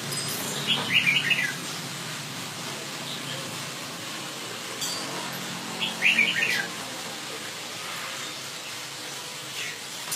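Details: Northern Vietnamese Red-whiskered bulbul, an ornamental bird, gives two short bright warbling phrases about five seconds apart, each a quick run of high chirpy notes, against a steady hiss with faint distant sounds.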